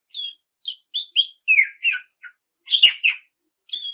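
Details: Oriental magpie-robin's continuous song, played to prompt rival birds to answer; a string of short sweet whistled notes stepping downward, then a louder harsh, buzzy burst and a final clear whistle.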